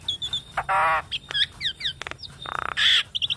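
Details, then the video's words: Javan myna song used as a training and trigger recording: short high chirps, dense harsh buzzy bursts, quick down-slurred notes and a rapid stuttering rattle, delivered in a busy, broken sequence. "Masteran dan Pancingan Jalak Kebo"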